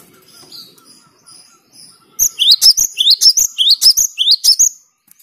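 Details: Cinereous tit, a 'gacor' bird that sings continuously, used to rile rival birds. Faint high thin notes come first, then a loud run of about five repeated phrases, each a sharp rising whistle capped by high chirps.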